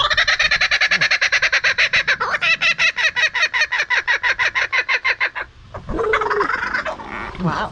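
A kookaburra's loud, rhythmic cackle: rapid, harsh chuckling notes at about eight per second for five seconds, then voices and other noises.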